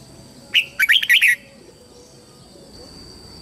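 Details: Single lively phrase from a red-whiskered bulbul lure bird meant to summon wild birds for fighting: an upward note then rapid rolling warbles, followed by quiet with steady background hum.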